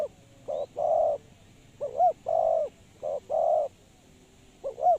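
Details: Spotted dove serving as a trapping lure, repeating a three-part phrase: a curling upswept note, a brief coo, then a longer hollow coo, cycling roughly every 1.3 seconds.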